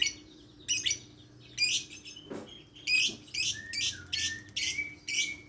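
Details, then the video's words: Harsh, high lovebird squawks, slow at first and then a quick even string of shrill notes ending in short whistled tails; a faint low hum throughout. "Suara burung Lovebird"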